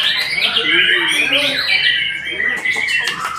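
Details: Rich, fluid song of a white-rumped shama: sliding whistled phrases blend with lower warbling notes, followed by quicker chattering bursts near the end.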